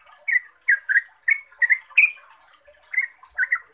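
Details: Yellow-vented bulbul giving a fast, lively 'ropel' song style used as a lure to get other bulbuls replying: short bubbly chortled notes in quick bursts, a pause near the middle, steady faint high hiss behind.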